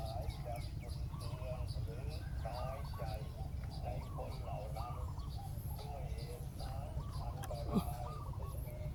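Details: Wild and decoy spotted doves answering each other while a ground decoy lures the wild bird down; overlapping mellow coo phrases run almost continuously, with a sharp click near the end and low background rumble.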